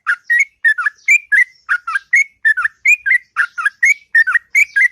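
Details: Sooty-headed bulbul singing a long, melodious ngropel-style song in the morning: rapid bubbly whistled phrases, each a rising-then-falling pair of notes, repeated without pause.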